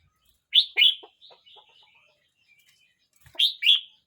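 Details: A red-whiskered bulbul aged 12 months 29 days sings short paired notes, twice: two loud, sharp, slurred whistles, then a pause of over two seconds with faint ticks before the pair repeats.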